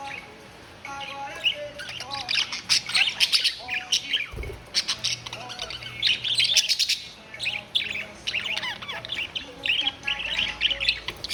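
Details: Six pet budgerigars kept together as a family chatter for over ten seconds: dense warbling, squeaky chirps and rasping notes in waves, with a single dull thump partway through and a brief lull before the twittering resumes.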